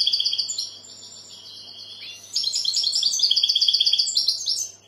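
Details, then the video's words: European goldfinch singing: a quick twittering phrase, a drawn-out thin buzzy note, then a loud series of rapid, evenly spaced liquid notes, about four per second. "Goldfinch bird singing the best sounds (chirping)Щегол поет / Τραγούδι καρδερίναςGoldfinch sjunger"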